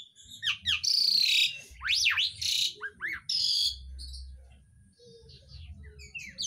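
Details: Kept Asian pied starling delivering loud mimicry, copying birds like the green leafbird and magpie-robin: strident whistles, steep up-and-down swoops and harsh rasps in quick succession, over low hum.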